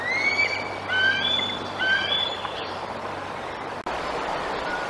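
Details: Bald eagle at the Decorah nest, July 7 2022, guarding its fish from a juvenile eagle intruder perched close by. Three or four short, high squeaky whistles in quick sequence, then only a faint rushing outdoor background.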